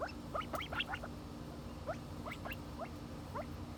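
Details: Silver pheasant in America with busy overlapping thin chirps, rapid upward sweeps clustered at the start and then sparser ones, over a low hum.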